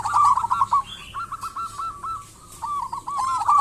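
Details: Vigorously singing local zebra dove, used to coax other doves into song: a bubbly coo burst, a row of evenly spaced soft coo notes, then another rippling phrase.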